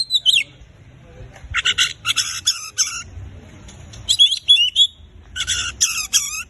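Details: Oriental magpie-robin in full song, played to prompt silent birds to sing: loud bursts of harsh, buzzy rasping notes alternating with bright whistled phrases, phrases separated by short pauses.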